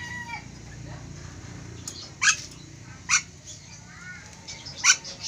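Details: Ornate lorikeet, an Indonesian endemic bird, uttering three sharp harsh screeches roughly a second apart, with faint whistled notes earlier and a low steady hum beneath.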